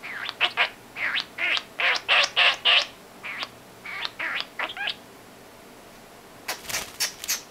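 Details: Pet female common starling imitating human speech in a whispery voice: a quick string of short clipped syllables, about three per second, then a pause and a final burst of harsh broadband notes.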